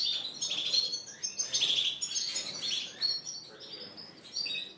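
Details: Caged Spanish Timbrado and Gloster canaries singing together in a bird shop in April 2016, bright chirps, trills and rapid twittering notes overlapping in a busy chorus.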